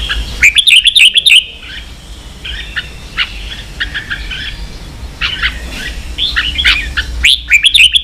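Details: Competing red-whiskered bulbul kept as a cage bird in Vietnam; loud rippling, trilled bursts at the start and end, with quicker stuttered chirp groups repeating between them.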